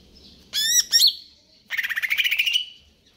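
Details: Greater green leafbird in konslet kejer nembak mode: two sharp, squeaky whistled notes, then a fast buzzy rattling trill that rises gradually.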